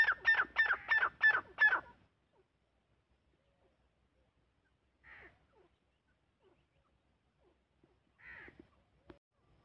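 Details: Francolin (teetar) delivers a quick burst of five loud, harsh notes over about two seconds, followed by near silence with two faint distant calls.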